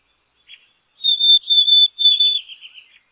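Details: Black-capped chickadee: a few soft high notes, then three steady clear whistles, then a quick series of about six buzzy, husky notes that trail off. The setting is quiet.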